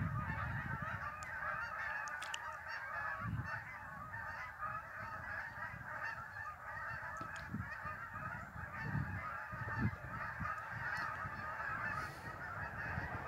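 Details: Long stretch of migrating geese calling together at Lake Champlain, New York: a steady mass of honks with bursts of low wind buffeting and a few faint clicks.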